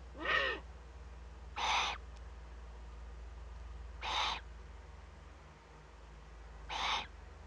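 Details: Young Eurasian eagle-owl in a webcam-watched nest, northern Rhineland-Palatinate, Germany, 15 May 2013, making first contact with another owl: four rough, airy hisses, spaced irregularly, with steady low background hum.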